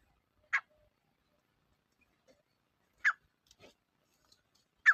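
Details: Grey partridge calling: three short, harsh, rasping bursts spaced about two and a half seconds apart, with quiet gaps between.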